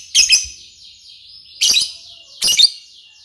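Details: Lovebird giving three harsh, screechy double chirps, roughly a second apart, over a soft, steady high-pitched background buzz.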